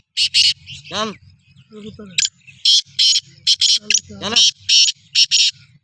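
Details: Black francolin (kala teetar) prepared for chakri in 2024: many harsh, rasping bursts repeated through the clip, broken by two drawn-out sweeping vocal sounds and a low, steady background murmur.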